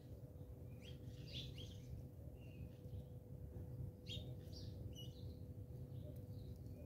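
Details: House sparrows squabbling in South Africa give short, bright chirps in loose bursts, some doubled, spread across several seconds against a soft low rumble and steady hum.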